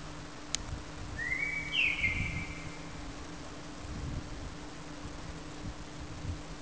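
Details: One common blackbird phrase, a single rising whistled note ending in a soft high twitter, preceded by a sharp click and set against a quiet low hum.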